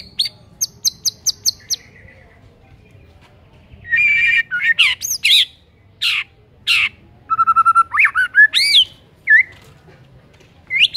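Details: Energetic white-rumped shama song intended to stir silent shamas: a quick row of high notes, then varied harsh bursts, sharp upward sweeps and twisting whistles separated by short pauses.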